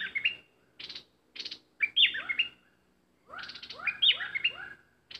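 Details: Caged bulbul used in bird luring, singing: a few dry, buzzy chips, then two rolling phrases of warbled whistles with quick down-slurs.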